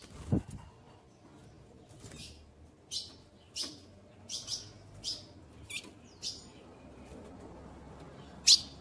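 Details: Female ultramarine grosbeak calling to solicit mating, ready to breed: a steady series of about nine short, sharp chips roughly every two-thirds of a second, with a louder chip to close and a quiet background.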